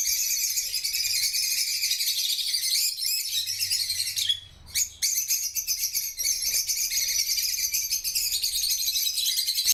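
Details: Busy chorus of African lovebirds: a dense wall of piercing high chirps and squeals, broken by a short near-silent gap around the midpoint before the chattering resumes.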